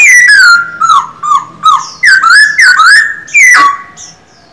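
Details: A male Silver-eared laughingthrush kept in a cage sings clear whistles that fall and level out, several short rising slurs, and a final sharp downward note before quiet.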